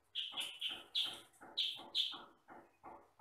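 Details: Sooty-headed bulbul, the yellow-and-black 'kutilang sutra' form, in a recording meant to train other birds: loud, sharp high chirps repeated about every half second, each with a rougher lower rasp after it.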